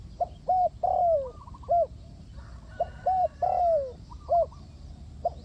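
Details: Repeated phrases of a spotted dove used to draw doves into a trap: short hoots followed by a long sliding coo that falls in pitch, two phrases about two seconds apart, faint background chatter of small birds.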